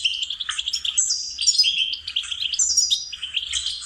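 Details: Goldfinch song for training songbirds: a quick, tinkling twitter mixing chattering notes with a few high, sharp whistles, steady and unbroken for four seconds.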